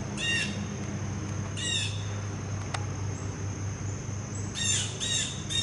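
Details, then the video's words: A very loud blue jay visiting for peanuts gives harsh, scratchy jeer calls in three short bursts, with one sharp click between them, over a low steady hum, before taking a peanut and leaving. "Noisest Blue Jay Before Eating a Peanut Ever"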